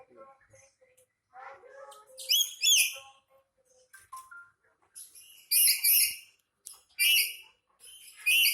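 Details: Angry black-capped lory giving loud, harsh, raspy screeches in short bursts, separated by quieter chattering and squeaky notes, with a few faint soft sounds in the background.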